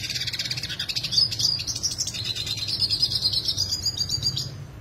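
Yellow siskin song: a fast, unbroken run of sharp, high twitters and buzzy trills that rises and falls, over a faint low hum.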